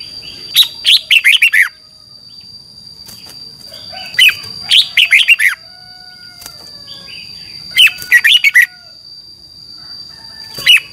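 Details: Red-whiskered bulbul song of the 'phleng boen' type, Thailand, used to train contest birds: four lively phrases of rapid warbled down-slurs every three seconds, soft clicks between, and a steady high tone.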